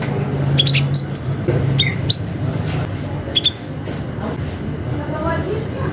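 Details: Cinereous tit (gelatik batu) calling a rival: short sharp high notes, some sliding down, in loose groups over a steady low rumble of background noise.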